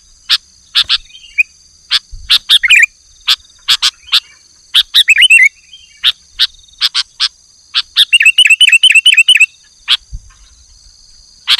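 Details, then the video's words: Afternoon calls of a male sooty-headed bulbul answering a rival, a long series of sharp clicks mixed with short bubbly phrases, then a rapid chattering run of repeated warbled notes near the end. "Suara Burung Kutilang jantan Memanggil lawan di sore hari"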